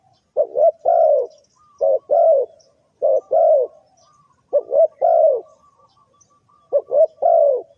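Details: Spotted dove calling to lure birds into a trap, six rhythmic phrases of short stuttering coos followed by a drawn-out, softly falling coo, in a quiet setting.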